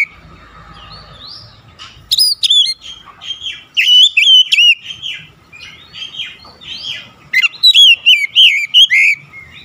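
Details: Oriental magpie-robin in lively, varied song: a long stream of loud whistles, fast trills and slurred notes in rapid bursts separated by short gaps.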